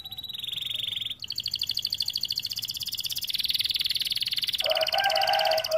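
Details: Canary song used to prompt reluctant or young canaries to sing: a steady high tone, then long fast trills of rapidly repeated notes, ending with a lower buzzy rattling roll.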